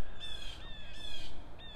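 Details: Blue jay (Cyanocitta cristata) in woods gives two harsh, raspy jeers of about a third of a second each, an alarm call at a nearby red-tailed hawk that has the birds worked up, over low wind rumble.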